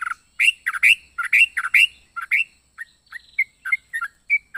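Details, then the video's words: A yellow-vented bulbul's strange, varied song: loud gurgling double notes at first, then softer, scattered short chirps and whistled slurs. "Burung trucuk unik suara aneh"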